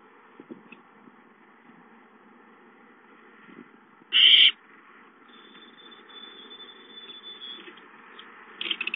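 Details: Nest owlets recorded on 5-9-13: one harsh, breathy screech of about half a second rises out of a quiet hiss. A faint steady whine and some light rustling follow.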